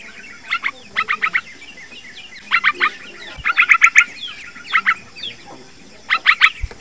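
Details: A young yellow-vented bulbul gives a fast call, quick bubbly bursts of three to five notes every second or two, used as a lure to prompt other bulbuls to sing, over a steady high background hiss.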